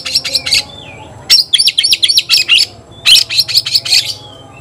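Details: Fight-challenge calling of a white-rumped shama: bursts of sharp, rapid chirped notes and short whistles, separated by brief quiet gaps, each burst holding five to eight quick high notes.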